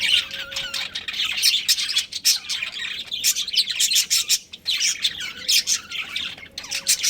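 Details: Budgies from a pet breeding pair chirping almost nonstop, a dense run of bright, high twittering notes with short squawks mixed in.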